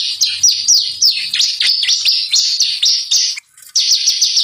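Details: Ciblek (bar-winged prinia) lure song meant to make birds sing: fast high-pitched chirps mixed with falling whistled slurs, repeated in quick succession, with a short silent gap before the lively chirping returns.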